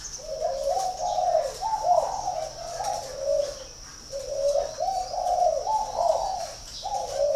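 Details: Spotted dove from a breeding farm in Ba Vì, Hanoi, northern Vietnam, giving low hoarse coo phrases in repeated bursts, several notes each, with short pauses between, over a constant high-pitched whine in the background.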